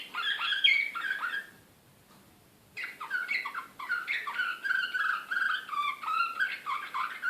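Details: Serbian slavujar song canary, Belgrade 2016, excited: warbled chirps break off for about a second of quiet, then resume as a fast, continuous run of repeated syllables.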